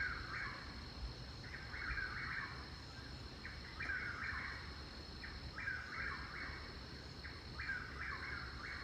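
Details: Chuck-will's-widow calling live near a garden, a sound of the evenings and mornings where it lives, with the birds calling a lot: a repeated three-part phrase in the mid-range, given about every two seconds over a steady background hum.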